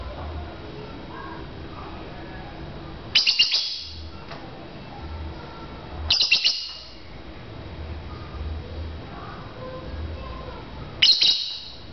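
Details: Lovebirds in a bird-to-bird chirping contest. Three short, sharp, high bursts of chirping arrive at irregular intervals several seconds apart, over a low constant hum.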